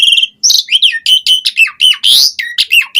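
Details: Asian pied starling in rapid song, a dense string of sharp chattering whistles and downward-slurred notes delivered almost without pause over three seconds.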